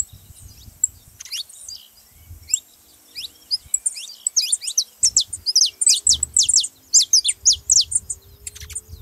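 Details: Saffron finch song played to get another canary singing: sparse high chirps at first, building into a dense, rapid string of sharp, descending whistled notes toward the end, background quiet.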